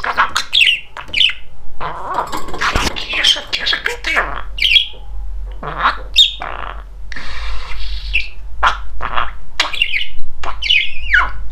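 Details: Talkative, funny pet male budgerigar chattering: mumbled speech-like phrases mixed with short high squawks and chirps, over a low steady hum.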